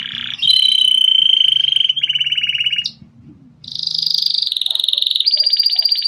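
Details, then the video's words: Grey Belgian canary singing: long sustained rolling trills, each held one to two seconds at a steady pitch before switching to a new pitch, with a short pause midway. "Canário belga cinza dobrando o canto"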